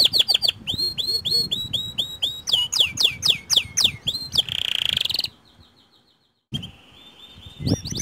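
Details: White canary singing to prompt other canaries to join in: quick rising whistled upsweeps repeated several times a second, some brief chips, then a dense buzzy trill, a short silent gap and a steady high trill.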